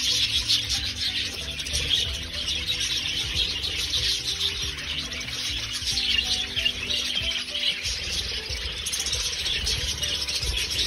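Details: Parakeets eating together as a family give a dense, busy stream of high chirps and warbles, with soft music playing underneath.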